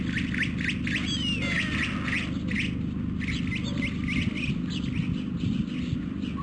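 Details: Hungry White stork nestlings on a nest in Carpinis, Romania, filmed 12 August 2014 by nest camera, beg with harsh, squawky calls about twice a second over a steady low rumble of wind or distant traffic.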